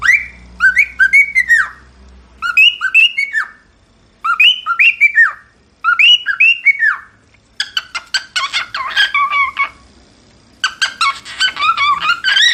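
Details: Cockatiels singing: short whistled phrases of falling and rising notes, repeated in bursts about every two seconds, followed by busier squeaky chirping chatter.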